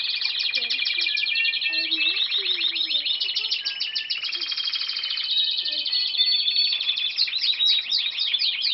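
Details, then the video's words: Canary song, dense and loud: overlapping high rolling trills and rapid repeated down-slurred notes run without pause, with brief whistled tones and faint low chirps beneath. "cantos nuevos de canarios"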